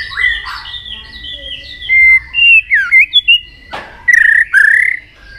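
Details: White-rumped shama singing to provoke rivals: clear sustained whistles and slurred rising and falling notes, a sharp click midway, then two loud warbled phrases.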